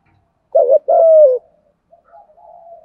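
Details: Spotted dove cooing in the thúc gù style for luring wild birds: a short coo then a longer, smooth descending coo, trailing into a faint, thin murmur.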